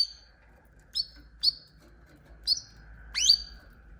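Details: Canary calling with five separate short, high, downward-slurred chirps spaced about half a second to a second apart, over a steady faint background hum.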